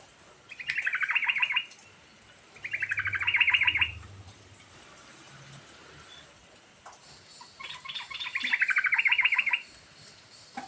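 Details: Lively sooty-headed bulbul pouring out a rolling, varied song to encourage a mute bulbul: three rapid trills of quick repeated notes, each around a second long, with a longer gap before the last.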